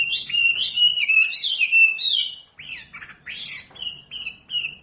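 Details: Wambi singing on a caged-bird training recording: a sustained wavering whistled phrase, a pause, then a few short separate whistled notes spaced about half a second apart.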